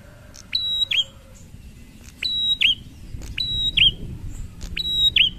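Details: Prinia singing ngalun, prompting fellow prinias to answer: four high phrases of a quick rising note, a level whistle and a falling twist, roughly every second, over a louder low rumble and a faint lower tone.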